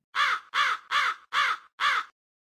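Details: A hooded crow (Corvus cornix) gives five harsh, rasping caws in a steady series, about two and a half per second, with nothing else heard.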